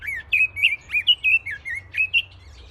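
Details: Bird chirping in a natural setting: a quick series of about ten short warbled whistles, each rising and falling, delivered in a lively stream.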